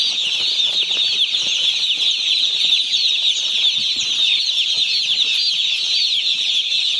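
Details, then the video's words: Many 1-day-old chicks on a poultry farm: a dense, unbroken chorus of high, shrill peeps, with faint rustling and scratching underneath. "Hear the Chirps of 1-Day-Old Chickens"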